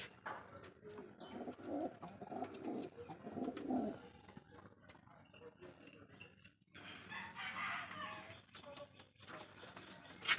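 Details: Domestic "coca" pigeons cooing in low, throaty rolling phrases in a loft, with other loft birds and chatter around them; a hen there is preparing to lay eggs again.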